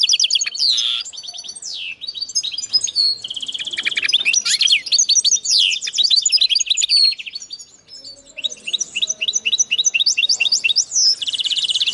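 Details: Linnet x canary hybrid delivering a long, loud, continuous song of rapid high twitters, sweeping whistles and buzzy trills, barely pausing for twelve seconds.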